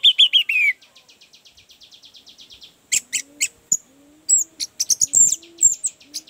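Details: Orange-headed thrush lure song to coax a sluggish bird into singing: a quick descending series, a long train of soft repeated ticks, then varied high whistled and chattering notes over a faint low tone.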